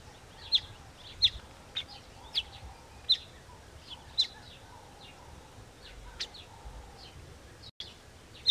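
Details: Weaver bird building a nest: sharp, high, clipped chirps repeated roughly every half to one second, with fainter thin notes between them over a quiet, steady outdoor hiss.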